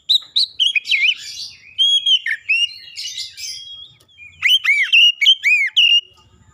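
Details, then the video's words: Oriental magpie-robin singing a clear song used as a lure to make silent magpie-robins start singing; rapid, varied whistled notes with sweeping up-and-down phrases and sharp chirps, a brief pause near four seconds, then loud arched whistles. "kicauan jernih Kacer pemikat | KACER macet bunyi langsung ikutan gacor"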